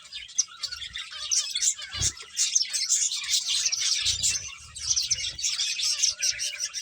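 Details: Feeding finches keep up a steady flock chatter of quick, sharp, high chirps. Brief low bumps come around the second and fourth seconds.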